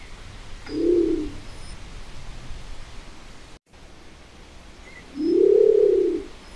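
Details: Nicobar pigeon giving two low, hollow moaning calls about four seconds apart, each a smooth arched hum rising then falling, lasting around a second, with a faint background hiss.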